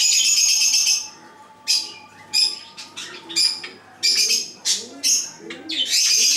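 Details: Chocolate-coloured Java sparrow from Bangladesh giving bursts of high, dry chirping notes in dense clusters, loud at the start and then in short separated bouts with quiet gaps, over a faint low steady hum.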